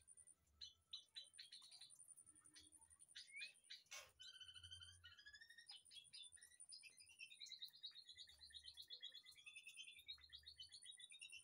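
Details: White-rumped shama in an aviary behind a house delivering a rich, varied song: sharp clicks and chips, a loud snap, then sweet whistled phrases and fast trilled runs, over a constant high-pitched background hiss.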